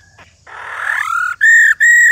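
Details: Old wild female laughingthrush: a harsh, noisy rising sweep leads straight into two loud, steady whistled rò notes of equal pitch, separated by a short pause.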